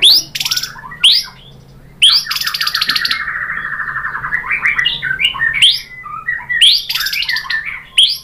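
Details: Varied white-rumped shama song played to get other birds answering: loud buzzy bursts alternating with long rapid trills and scattered whistled phrases.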